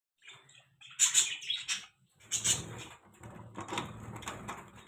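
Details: Pet budgerigars described as happy, chirping in short bursts of bright, high twittering notes, with a pause between bursts and a faint low hum beneath.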